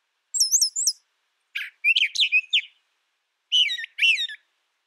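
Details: Song of the brown thrasher: a very high pair of looping whistled notes, a harsher cluster of descending slurs, then sweeping rising-falling notes given twice, in crisp separate phrases.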